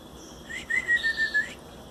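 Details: Belgian canary chicks, 18 days old, hand-fed baby food into their beaks, give a thin whistled begging call held steady for about a second, with faint rustling indoors.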